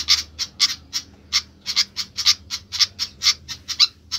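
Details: Noisy flycatcher (sikatan) calling restlessly: sharp, dry ticking notes repeated about twice a second at an uneven pace, each a brief harsh burst, with low background hum.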